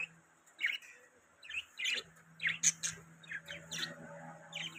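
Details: Budgies giving scattered high, squeaky chirps and brief warbled notes, separated by short pauses, over a faint steady low hum.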